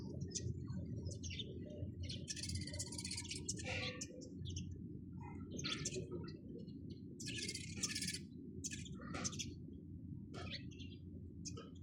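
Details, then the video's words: Sparrows in noisy chorus, dense clusters of harsh chirps and chatter coming in bursts about every few seconds, steady low background rumble throughout. "চড়ুই পাখির কিচিরমিচির শব্দ Chirping sound of sparrows"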